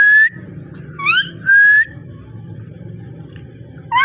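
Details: Ringneck parrot voice: a level whistle, a harsh rising note, then a longer steady whistle, followed by quiet low hum and a final rising note.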